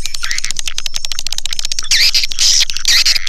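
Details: Swiftlet lure recording, Sp Bku 7: fast train of sharp clicks followed by louder rising and falling chirping twitters in bursts, over a constant thin high-pitched tone.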